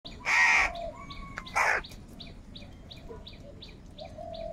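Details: Crows in a group, calling loudly in anger and for food: two harsh, rasping caws about a second apart, then steady high chirping from smaller birds and a few plain whistled notes.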